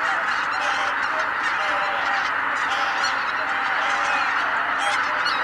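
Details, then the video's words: Greater white-fronted geese in a flock taking off all at once at Kabukuri-numa marsh on 12 January 2019. Bright, yelping, repeated honks from countless birds blend into a loud, unbroken chorus. "蕪栗沼 一斉に飛び立つマガンの群れ"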